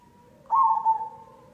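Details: Zebra dove, perkutut cemani, recorded as a lure song to prompt other doves to sing: one soft, low, hollow coo of about half a second with a slight break in the middle, over faint background hum.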